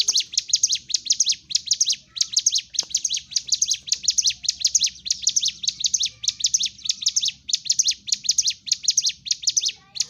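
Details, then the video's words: Energetic fighting-style song of a Sunda warbler, played to rouse silent birds into singing: a long unbroken stream of piercing high chirps in tight, fast clusters, repeated about twice per second throughout. "CIGUN / CIBLEK GUNUNG GACOR TARUNG l Terapi Untuk Pancing EM0SI Burung MACET"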